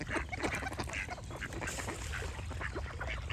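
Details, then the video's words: Ducks quack repeatedly in quick, rough bursts while birds sing with short whistled notes, over a low steady rumble. "Cute Duck Quack Sound Effect with Birds Singing"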